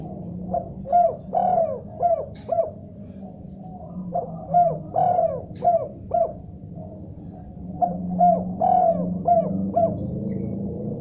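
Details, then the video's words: Spotted dove answering after hearing another call, repeating the same cooing phrase three times, each a quick run of five or six hollow coos with one longer stressed note, above a steady low drone. "Tekukur Diam Seketika Langsung Respon Nyaut Gacor Setelah Dengar Suara Ini"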